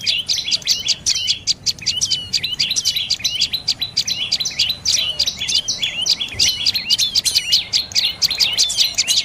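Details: Dark-necked tailorbird calling; a dense, rapid series of sharp, high chirps and trilled notes, many overlapping, delivered continuously throughout with no pause, against a quiet background.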